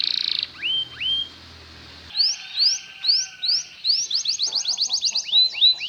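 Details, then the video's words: Belgian canary song played to help canaries learn to sing: a flat buzzy note, two rising whistles, a pause, then a run of bright slurred whistles quickening into rapid trilled phrases. "LONG CANARY SOUND || EMOTIONAL CHANNELING EFFECTIVE to lure canaries to learn to sing"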